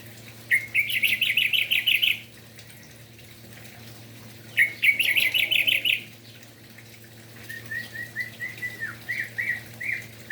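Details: Morning song of an orange-headed thrush, used to stir other orange-headed thrushes into singing; two fast, buzzy trilled bursts of about a second and a half each, followed by a string of short, thin repeated notes, with a faint hum behind.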